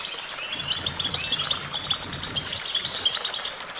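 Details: Goldfinch song: busy high twittering and tinkling notes packed closely together, with steady background noise and a low rumble.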